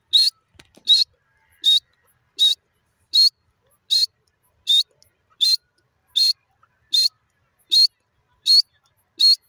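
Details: A kept teetar (francolin) giving short, sharp, high-pitched notes, evenly repeated about every three quarters of a second, twelve in all, over a quiet background with a few faint clicks.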